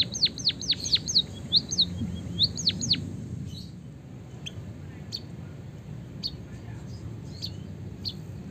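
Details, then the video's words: White-headed munia singing with canary phrases, a tutor recording. Several sharp downward-sweeping whistles come in the first three seconds, followed by sparse, faint high clicks and chirps over background hiss. "suara burung emprit peking bondol kaji gacor isian kenari ngeroll panjang untuk masteran"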